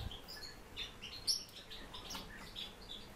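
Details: Kept warbling white-eye giving a few high, thin whistled chirps and brief twitters, loosely spaced, with low hum behind.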